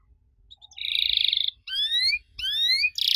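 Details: Canary singing to draw answers from young canaries: a short buzzy, harsh note held about a second, followed by a pause and then bright rising whistled sweeps repeated in two bursts.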